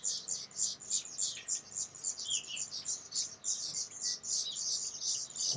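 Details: Black redstart filmed at close range, giving rapid, harsh, hissing high bursts about three or four per second, uneven in spacing, with a faint thin whistle partway through.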